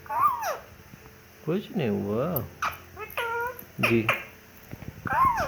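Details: Talking ringneck parakeet producing a run of speech-like phrases: arched, harmonic-rich syllables rising and falling, some drawn out and nasal, others clipped, spread across the clip indoors.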